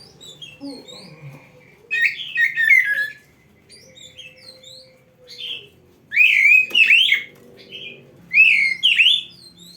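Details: Oriental magpie-robin, a kept bird singing as a training tutor for other birds; three loud bursts of rich, fast, warbling whistled phrases separated by quieter pauses with a faint low steady tone.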